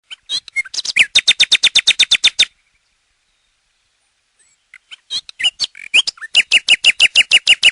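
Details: Nightingale singing: a fast series of loud, evenly spaced repeated notes, a pause of about two seconds, then a few varied chirps building into another rapid run of repeated notes.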